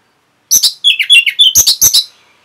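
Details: Orange-headed thrush training song (masteran) for caged birds: a rapid sequence of about ten loud notes that alternate sharp high chips with slurred, descending whistles, all within two seconds.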